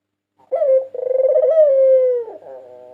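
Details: A single full phrase from a champion white Barbary dove, 2022 national winner, used as a lure: a short introductory note, then a long, pulsing coo that slowly falls in pitch and fades into a soft tail.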